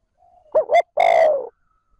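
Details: Decoy spotted dove calling in the smooth, steady trơn ròng style to stir up wild doves: two short rising notes, then one long, slightly falling, hoarse coo, given once in quiet surroundings.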